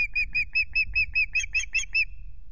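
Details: Newly arrived male osprey at the Loch Garten nest, evening sun, 17 April, with quick repeated piercing whistled chirps, roughly ten in two seconds, some sounding slightly harsher, over a wind rumble.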